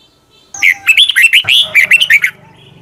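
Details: Red-whiskered bulbul singing intensely in the morning in a long, twisting double-voiced style: one extended phrase of nearly two seconds made of many rapid, rolling whistled notes rising and falling.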